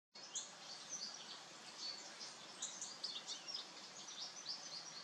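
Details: Bramblings on 17 November give a scatter of short, high chirps and chattering notes, overlapping as from a flock, over a steady hiss of background noise.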